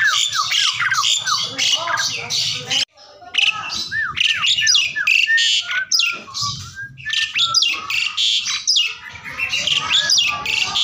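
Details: Asian pied starling singing continuously, meant to coax a silent bird into answering: dense chattering phrases of downslurred whistles, harsh rasping notes and squawks, a brief pause near three seconds, with a faint low hum in places.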